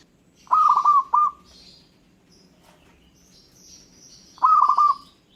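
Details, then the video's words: Local zebra dove song that sets other birds calling: two separate bursts of quick, rolling coos a few seconds apart, each a stuttered string of rounded notes, with soft high chirps from other birds in the quiet gap. "Gara-gara Perkutut lokal ini, burung lain Langsung Nyaut dan Ngayer"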